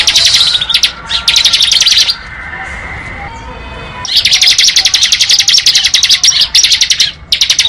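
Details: Bar-winged prinia sings in the ngebren manner: clipped bursts of high, rapid chirps, a quiet two-second lull, then a sustained fast rattle of piercing notes.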